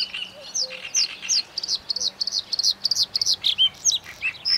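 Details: Bluethroat singing: a fast, loud series of high chirping and trilled notes repeated in quick bursts, with a sharp thin whistle near the end; a low steady hum runs beneath.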